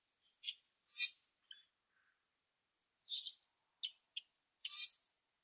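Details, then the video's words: Common grackles found in a backyard and on nature walks, chirping and calling: short, high, scattered notes and a few louder harsh squeaky bursts, with long gaps between them. "What Does a Common Grackle Sound Like? - Bird Call and Sounds"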